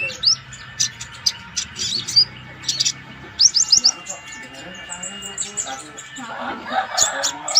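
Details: Flaming sunbird singing lively as training material for other songbirds: bursts of high sharp chirps and quick upslurred notes separated by short pauses, with a low murmur of background noise.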